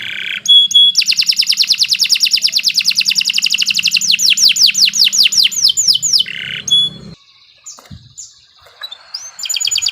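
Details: Canary singing a long, sharp master song: dense rapid trill for several seconds, turning into falling whistled sweeps, then a pause with faint background sounds and a final burst of trilling.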